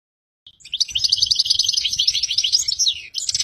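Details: European goldfinch mating song, said to stimulate the female to breed: a fast continuous twittering run of high, tinkling and buzzy notes lasting about three seconds, with faint low thumps beneath.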